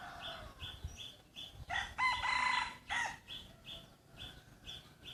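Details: Free-range village chickens kept in a natural setting. A strong harmonic crow lasts about a second near the middle. Steady, sharp high peeps repeat before and after it over a low rumble.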